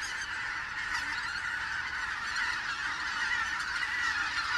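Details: Autumn arrival of greater white-fronted geese, 16 October 2016, present again in the region overnight; a steady wall of overlapping yelping and honking calls from many birds, growing slightly louder toward the end.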